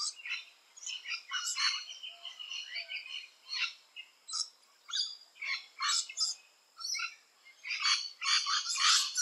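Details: Lorikeets of the rainbow species at their nest holes making rapid, raspy, buzzy chatter, short harsh bursts repeated several times a second and growing shriller toward the end.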